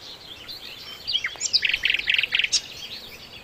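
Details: Flycatcher (sikatan londo) singing strongly as a training master for songbirds: high slurred whistles leading into four or five grouped bursts of fast chattering notes, then a final sharp high note.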